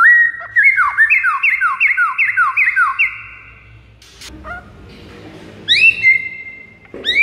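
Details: Song of a white-rumped shama played to lure rivals: a quick cascade of slurred descending whistles, a pause with a soft rasp and low hum, then bright rising whistles.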